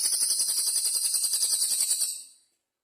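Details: Velvet-fronted nuthatch (cililin) singing actively in bursts with pauses: a fast, high, dry trill of rapidly repeated sharp notes lasting about two seconds, steady in loudness, then fading; no other sounds.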